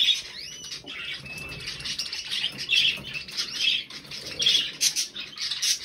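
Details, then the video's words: Three budgerigars, 20 November 2020: bubbly warbling with sliding whistled notes, one drawn-out whistle early on, then clusters of chirps and squawks roughly every second. "Drei hübsche Wellis"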